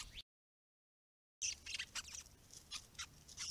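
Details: White-browed Babblers, described as restless, noisy and querulous, at a pond in a Curlew protection area with native grasses and open ground, give a burst of harsh, high, scratchy chatter, the notes tumbling quickly over one another after a brief silent gap.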